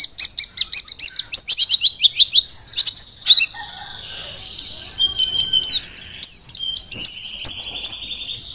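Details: Merapi mountain white-eye, wild-caught, singing fast: a rhythmic string of high, sharp chirps repeated several times a second, merging into a denser, more varied twitter.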